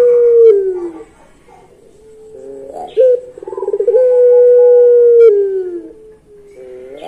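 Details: Pelung Barbary dove giving its long song: falling coos, a burst of rapid pulses, then a long drawn-out steady note that drops toward the end.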